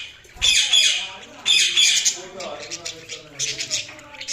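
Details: Budgies chattering in loud, scratchy, high-pitched bursts of warbled chirps and squawks, two main outbursts near the start, then a string of shorter chirps; faint lower tones run beneath.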